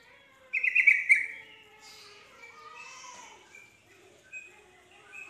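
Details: Yellow-vented bulbul (trucuk) calling to provoke other bulbuls into answering with 'nropel' song; a short loud rattling, warbled burst opens, followed by faint drawn-out whistles and scattered soft notes.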